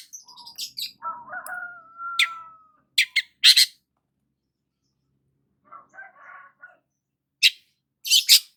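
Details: Long-tailed shrike sunbathing in the morning: a long level whistle, scattered harsh broadband chips and buzzy bursts, then a quiet gap before more rasping notes.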